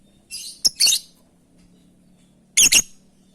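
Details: Lovebird calling companions: a raspy buzzy note, a sharp chirp and a harsh squawk, then after a pause a loud doubled screech, over a steady low hum.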